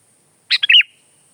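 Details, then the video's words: Sooty-headed bulbul, known locally as kutilang, giving a brief gacor phrase: buzzy onset, a small click, then a smooth looping whistle fading away in quiet surroundings. "Kicau kutilang"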